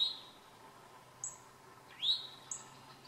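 A towhee gives two rising, slurred call notes about two seconds apart, with short thin high chips between them over a faint steady background hum.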